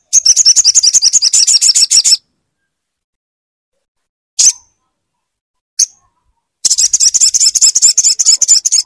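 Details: Crimson sunbird song meant to get a silent bird singing again: two long bursts of fast, piercing, evenly repeated high notes separated by a quiet gap holding two lone sharp chips.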